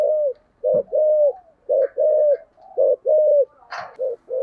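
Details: A thổ sấm-voiced spotted dove in thúc gù cooing: deep, steady coos, a clipped note followed by a drawn-out one, cycling roughly every second, with a short rustling knock partway through.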